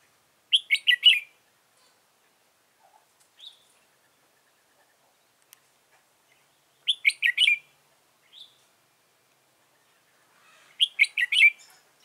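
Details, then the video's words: Red-whiskered bulbul used as a decoy for trapping, Dong Nai, Vietnam, 15 November 2017: a short bright warbled phrase repeated three times roughly every five seconds, each followed by a soft single note. "Bẫy chào mào Đẳng cấp Xòe mềm Vip"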